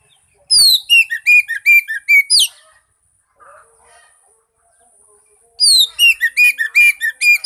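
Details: Oriental magpie-robin song played as a lure to make a silent bird sing: two bursts of rapid, varied whistled notes about three seconds apart, the gap holding only faint soft sounds.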